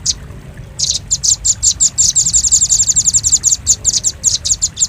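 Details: Lure sound of the velvet-fronted nuthatch, used to draw in birds: after a short quiet start, dense runs of high, piercing 'chit' notes, closely spaced and then slightly more separated.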